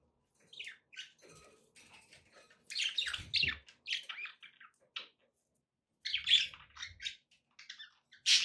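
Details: Domestic budgerigars chatter in uneven bursts of high, scratchy chirps and warbles, with gaps between phrases and a few sharper squawky notes, indoors.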